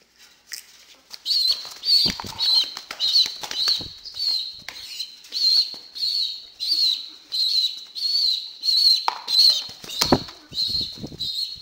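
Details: A pet young female pigeon near weaning age, hyper while being hand-fed by syringe, gives thin, squeaky, wavering peeps nearly twice a second, with clicks and soft thumps from the feeding.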